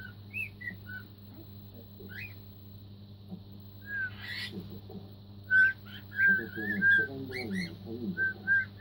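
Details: Young cockatiel, four months old, rehearsing Queen's Another One Bites the Dust indoors: scattered whistled notes and upward slides, then a denser run of repeated pure whistles, with soft chatter and a low background hum.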